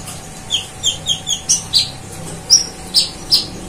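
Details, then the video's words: Konin sunbird in lively full song with cililin and golden grasshopper imitations: short, high, downslurred chip notes repeated roughly every quarter to half second, some rising into sharper squeaks. "Masteran Konin Gacor Full Nembak Cililin Dan Belalang Emas"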